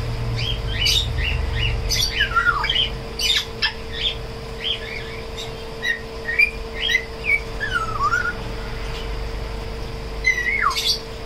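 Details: Tame African grey parrot chattering in quick runs of short whistled chirps and squeaks, with a few deep downward-swooping whistles, busy and irregular, low hum and faint rumble behind.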